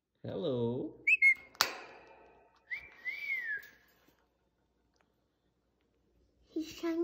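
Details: Pet parrot indoors, trying to bite a phone, gives a few clear whistles: a short rising note, then a longer slurred whistle rising and falling, with a low harmonic sound at the start and a sharp click.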